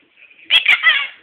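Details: A one-and-a-half-year-old pet Quaker parrot, male, repeating peekaboo: a brief squawky three-beat utterance, buzzy and nasal, preceded by a faint thin whistle-like tone.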